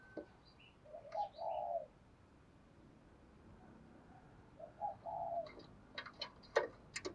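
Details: Decoy spotted dove, kept to rouse and train fighting birds, giving soft low coos in two spaced phrases, recorded faintly over a hissing background with scattered sharp clicks and knocks near the end.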